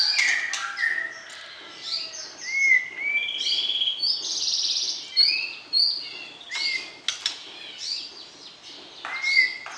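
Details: Courting white-rumped shama song to arouse the opposite sex before breeding: varied whistled phrases and chirps at several pitches, clear upward-sweeping notes, and intermittent sharp clicks across a nearly continuous performance.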